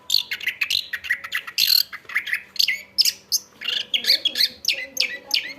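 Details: Chestnut-backed thrush (anis kembang) pouring out a dense, continuous song of high whistled and buzzy notes, trills and quick slurs, with almost no gaps between phrases.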